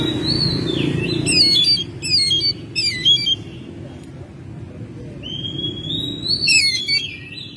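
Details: Oriental magpie-robin kept at home, May: a falling whistle opens, then three fast bursts of sharp, zigzagging high notes, a pause, and a long rising whistle ending in more twittering, with a low background hum.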